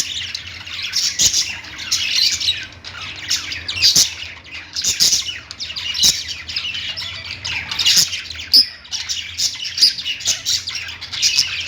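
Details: Lovebird song: a long stretch of busy, high-pitched twittering in pulsing bursts, with squeaky chirps, short whistles and occasional sharp clicks throughout.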